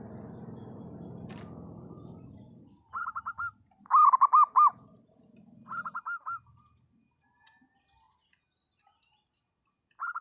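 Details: Local zebra dove in active song: brief rolling coo series, then four loud arched notes, another quick coo run and a final fragment; rumbling noise at first, then near-quiet gaps between phrases.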